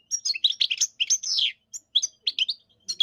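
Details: European goldfinch in song, rapid liquid twittering with slurred whistled notes and a drawn-out descending buzzy phrase, followed by scattered short chirps; high, bright and clean.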